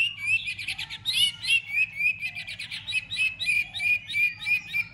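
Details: Energetic White-rumped shama fighting song used to excite other shamas, with tail-flicking. High, clear whistled notes repeat steadily at about three to four per second, each with a bright overtone, over a soft low hum.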